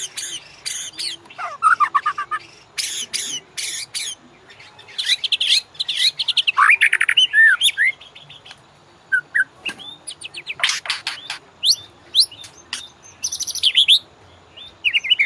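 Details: Master song of a white-rumped shama, played to prompt other birds to sing: varied rich whistles, fast trills and slurred notes mixed with loud sharp clicks and rasping bursts, delivered in irregular phrases.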